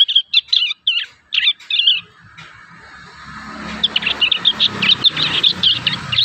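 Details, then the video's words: Young prinias working out their song: clear high chirped notes in a quick uneven series, then a denser run of twittering notes over a low background hum. "MASTERAN PRENJAK PAUD ALAMI"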